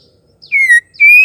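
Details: A female white-rumped shama gives two clear, pure whistles, the first sliding slightly down, the second held steady and a little higher; such female calls are used to provoke male shamas into singing and fighting displays.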